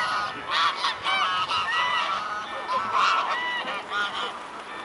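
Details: Mute swans at Dresden's Blaues Wunder, 14 October 2017, early afternoon; overlapping nasal honks and short rising tonal notes from several birds, nearly continuous over a noisy background.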